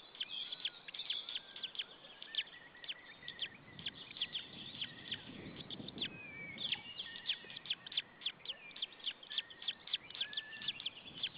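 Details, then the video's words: An Estonian white-tailed eagle nest on 26 April 2013, the chick left alone while a parent calls in the air; dense high chirping, some notes longer and bending, with a low rumble of wind or movement midway. "left the nest and calling in the air The baby is alone and tjirping"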